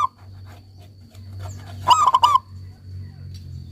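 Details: Zebra dove of local stock in vigorous song, meant to restart singing in silent doves. A single rapid phrase of staccato, rolling coos over a steady low hum.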